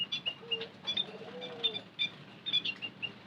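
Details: White-headed munia calling as a lure: sharp, high tweets repeated roughly every half second, with a faint, low, drawn-out tone in the background.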